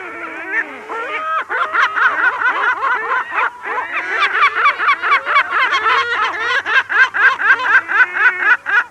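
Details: Lesser black-backed gull giving mew and long calls at close range in a colony on Walney Island, Cumbria. Drawn-out mewing wails break into a rapid laughing series of harsh notes, about two a second, amid other gulls calling.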